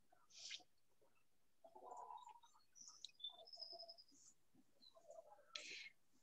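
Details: Song sparrows sing in the background at Bixby Marshland in June: a jumble of high buzzy bursts, clear whistled notes and short trills, mixed with lower chatter that may be faint voices.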